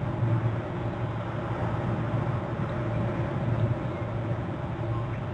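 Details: Loud steady low rumble and broadband noise like passing traffic or wind, no calls.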